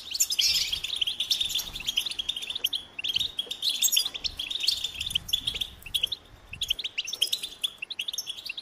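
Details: Goldfinch song of bright, high twittering phrases with liquid chirps and short buzzy trills, delivered in bursts separated by brief gaps.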